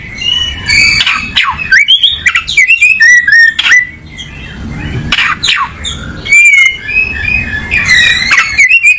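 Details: Oriental magpie-robin looking for a comfortable position, singing a long varied run of clear whistles, sweeping slurs and harsh scratchy bursts, about three elements a second, with low background rumble.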